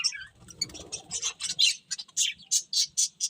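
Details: Happy pet budgerigars singing while eating: a run of bright chirps and squawky notes, with short sharp high tweets repeated about every quarter second toward the end, over a faint low background rumble.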